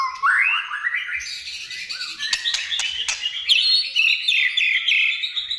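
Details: Song of a white-rumped shama, played to trigger singing in other shamas: rising whistled slurs, then a dense high chattering warble with clicks and buzzy notes running on without pause.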